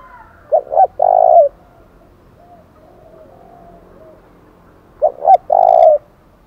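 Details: Spotted dove sounding its fight-provoking challenge call in 'thổ đồng' style: two phrases, each a pair of quick clipped notes followed by a longer, smooth, mellow coo, with quiet gaps between phrases.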